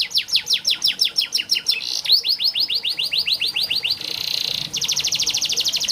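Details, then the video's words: Canary training song: rapid descending rattling notes changing speed and pitch, a brief buzzy tone, another descending series, a steady high buzz, then a fast even trill. "Burung KENARI malas bunyi Terapi untuk burung kenari masteran canary"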